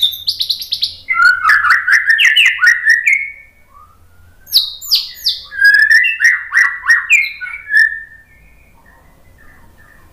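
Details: Training song of a white-rumped shama: a high whistled opening, a rolling phrase of rich warbled notes with sharp clicks, a brief pause, then a similar warbling run trailing into soft notes.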